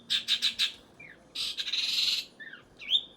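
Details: Long-tailed shrike giving four quick rasping bursts, then a longer harsh buzzy churr, with short slurred whistles in between and one clear whistle at the end.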